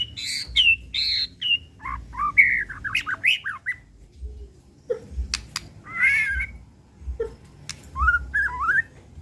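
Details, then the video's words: Captive white-rumped shama singing varied whistled phrases that swoop up and down, interspersed with harsh notes, clicks and pauses, over a low background hum. "Suara Asli Tanpa Repeat! Pancingan Murai Pastol Emosi & Bongkar Isian"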